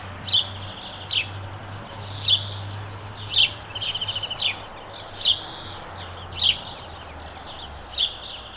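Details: House sparrow chirping steadily: sharp, high chip notes roughly once a second, about nine in total, with a brief rapid chattering run in the middle and a low background hum.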